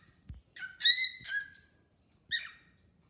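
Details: Pet cockatiel chatting with a new companion bird: a short scratchy onset then a rich harmonic whistle falling into a rough trill, a pause, and one more buzzy note, with soft tapping.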